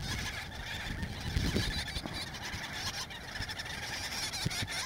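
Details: Gull-billed tern colony in central Spain in the breeding season, adults feeding chicks: loud, dense clamour of overlapping raspy calls with low rumbling and bumping noises underneath.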